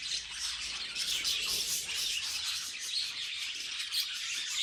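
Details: Domestic budgerigars in a busy chorus of rapid high twitters and buzzy chirps, the overlapping voices keeping a steady level throughout.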